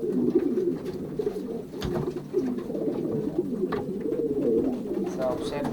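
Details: A loft of young racing pigeons in the Pruszków section, Poland, pairing in the 2023 season; dense overlapping guttural coos from many birds, with scattered clicks and flapping noises.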